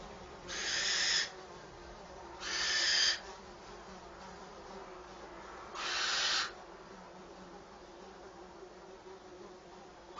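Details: Brood of Eurasian wren chicks in a nest near caged falconry birds, fed by the mother; three coarse hissing bursts under a second long, spaced two to three seconds apart.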